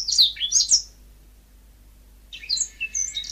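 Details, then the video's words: ['Yellow-fronted canary singing in two short bursts of bright, high twittering notes separated by about a second and a half of silence, the second phrase ending in a sustained, slightly buzzy trill.'] "Suara Burung Mozambik"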